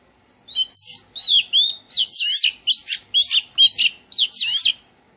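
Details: Melodious garden song of an Oriental magpie-robin: clear whistled notes rising and falling, followed by a string of loud, tumbling, scratchy-edged phrases delivered in quick bursts with short pauses between them.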